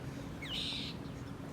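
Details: Gray catbird (Dumetella carolinensis) in New England on 4 August 2023, with cats napping nearby, gives a single harsh, nasal mew call that slurs briefly and then holds steady, over a low steady background hum.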